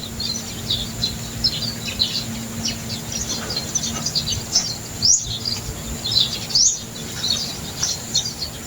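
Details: Wild birds around a rural provincial farm where bananas are grown, calling as they usually do at this hour, especially in the afternoon: dense high, thin chirps and twittering, with two quick rising sweeps near the end, over a steady high insect hum and low background drone.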